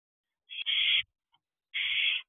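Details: Barn owl owlets sitting on a perch at an owl box at 8:34 pm on 3 June 2023 give two harsh, hissing screeches, each about half a second long, with a short pause between them.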